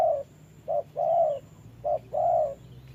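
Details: In wet weather, a trapping decoy spotted dove sparring with a wild bird gives short and longer mellow coos, low-pitched and even, spaced under a second apart.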